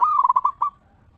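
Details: Indonesian local zebra dove in crisp 'ngeristal' voice, used to lure other zebra doves into singing. One fast rolling phrase of about six bubbling pulses ends abruptly, followed by quiet.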